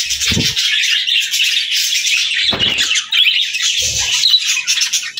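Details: Budgies chirping in a continuous, overlapping high twitter of squeaks and warbles, broken by three short low thumps spaced roughly every one and a half seconds.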